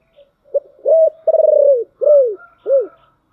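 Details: Giọng thổ song of a spotted dove: a brief soft note, a clipped coo, a hooting rise, a long vibrating purr sliding downward, then two bowed coos, with a faint thin tone above near the end.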